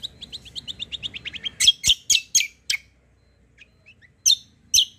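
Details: Kecial kombo white-eye lure song for provoking answering birds: a fast run of evenly spaced high chirps slides downward, then louder sharp notes follow, with a pause and two more bright calls.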